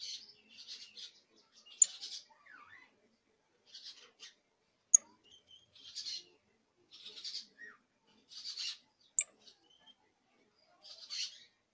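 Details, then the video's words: Young canary practising its first songs: raspy, buzzy phrases given roughly every second or two, mixed with thin high pips and a few short sliding whistles, over a quiet background. "Pichón de CANARIO soltando sus primeros cantos, trines, Charrasqueando"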